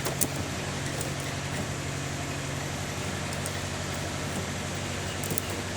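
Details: Continuous low engine rumble with idling hum and a few faint ticks, and no animal voice.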